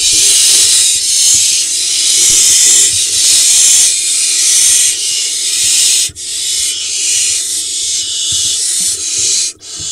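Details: Barn owls at a monitored nest box, Hula Valley, Israel, late June 2021, with nestlings about three weeks old. Dense, steady, rasping hiss fills the recording, with short breaks near six and ten seconds.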